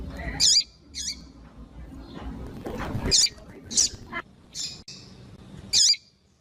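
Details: Spaced, piercing single chirps from a female coleiro tui tui (double-collared seedeater), used to stimulate the song of a cold male. Some notes fall away at the end, with low background noise between calls.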